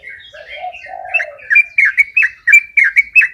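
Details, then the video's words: Yellow-vented bulbul singing in the rapid ropel style: low bubbly warbles give way to fast chattering runs of sharp, bright notes repeated several times a second. "Suara Ropel Burung Trucukan"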